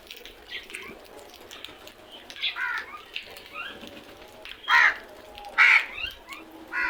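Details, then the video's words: Loud crow calls: a few softer, scratchy caws early on, then two strong, hoarse caws close together near the end, one more starting as it closes. "Loud noise made by really smart crows"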